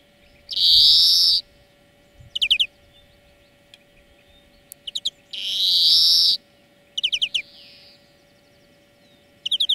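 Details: European greenfinch song used as a lesson for training birds: two long, harsh, buzzy wheezes alternating with short bursts of rapid twittering trills, over a steady low electrical hum.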